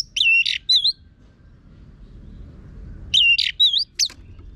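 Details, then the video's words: Orange-headed thrush, known locally as anis merah, a caged bird singing a loud, harsh-toned song used to coax other birds into singing; phrases are short, whistled and warbled between 2 and 6k, delivered in two bursts separated by a pause. "Pancingan ANIS MERAH Gacor Suara Kasar Ini Membuat Burung Ikutan Ngeplong"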